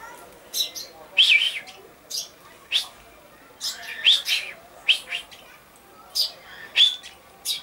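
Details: Common chaffinch, recorded on 22 August 2013, giving a loose series of sharp high chirps and brief upswept notes, irregularly spaced about a second apart, with faint twitters and a quiet hum behind.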